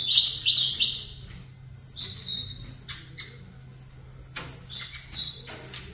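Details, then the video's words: Caged saffron finch singing face to face with another caged saffron finch: rapid high, sharp chips, with three bright downslurred notes at the start and then jumbled descending phrases, with a steady low hum beneath. "Canto Canário da Terra"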